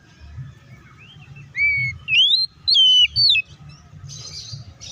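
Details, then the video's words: Oriental magpie-robin, kacer, fighting song used to provoke other birds into singing; clear whistled notes, a level whistle then rising and falling slurred phrases around the middle, followed by a brief buzzy burst, with low hum beneath. "KACER GACOR NGEPLONG TARUNG❗PALING AMPUH BUAT PANCINGAN KACER AGAR CEPAT BUNYI DAN EMOSI!"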